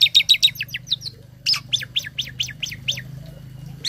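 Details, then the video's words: A tame starling kept as a cage bird delivers a loud song of mimicked phrases, intended for training other birds: rapid high chips, a brief pause, then a run of descending, slurred high notes. "Burung Jalak Jinak Isian Nembak || Cocok untuk masteran burung lain langsung nyaut"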